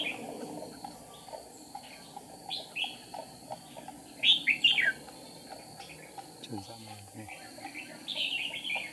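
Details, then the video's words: Red-whiskered bulbul decoy at a trap, 8 April 2019, wing and tail flicking; sparse notes and one loud warbled phrase, a man's voice briefly, then more chirps near the end. "Bẫy chào mào Siêu phẩm búng cánh - đánh đuôi tít mù"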